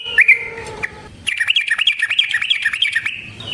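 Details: Yellow-vented bulbul song meant as a lure for other bulbuls, long-rolling fighter style: a few sharp chirps and a low hum, then a dense, fast chatter of bright notes for about two seconds.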